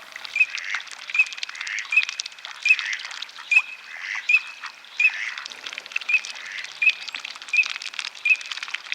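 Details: Eurasian teal, Europe's smallest freshwater duck, on a woodland pond at Château de Lorge, Côtes-d'Armor, Brittany, giving short, high, clipped whistles about one every three-quarters of a second over a steady crackle of applause or crowd noise.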